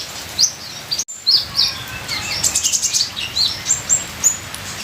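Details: Ninja sunbird singing over a constant rain-like hiss. Sharp, high chirps come in short bursts, with a fast trill of clipped notes near the middle and a brief gap early on.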